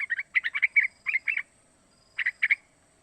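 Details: Young three-month-old sooty-headed bulbul calling as a lure for other bulbuls to imitate; dense run of slurred double chirps for a second and a half, pause, then a short group of four bright notes.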